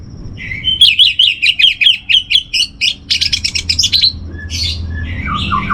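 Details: Master song of an orange-headed thrush, played to steady a caged bird's emotion and breeding mood: a fast series of about twelve sharp repeated whistles, then a chattering trill and softer varied warbles.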